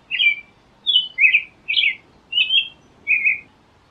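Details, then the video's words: Six short caroling whistled phrases from an American robin, rising and falling, delivered about every half second over a soft hiss. "Canto do Tordo Americano | American Robin Singing"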